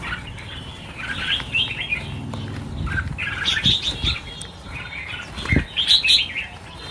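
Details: Red-whiskered bulbuls released in a group of 1000 for the New Year: a steady jumble of sharp, tinkling chirps and short warbles from many birds, with occasional flapping and knocks.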